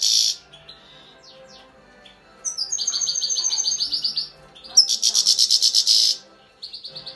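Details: Grey-crowned goldfinch with bright, high chirps and rapid pulsed trills, several sustained twittering phrases separated by brief pauses, some notes layered with sharp upper whistles.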